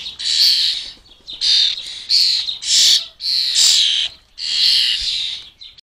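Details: Young wild European starlings at a garden bird table in the UK giving a steady run of harsh, hissing rasps, about six noisy bursts of half a second to a second each, with brief gaps between them.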